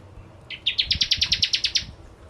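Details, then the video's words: Bar-winged prinia in full song, used as a lure for ciblek kristal: one fast series of about a dozen sharp, high chipping notes, rising slightly at the start, with faint low background noise. "Burung Prenjak Jawa Gacor Pancingan Ciblek Kristal"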